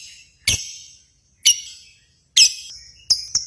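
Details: Sounds from a lovebird contest, aimed at rousing pet lovebirds: four shrill, raspy shrieks, roughly one a second, the last followed by thin high whistled notes.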